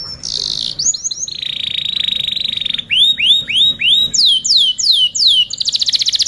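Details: Canary masteran tutoring song for other birds: a piercing high whistle, a long level buzzing roll, loud repeated rising-then-falling swoops about twice per second, then a quick high trill.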